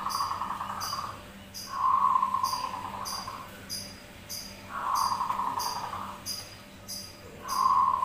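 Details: Perkutut, or zebra dove, singing back and forth in a lure recording: four buzzy trilled phrases about a second long, spaced irregularly, over regular high hissing clicks like a cricket.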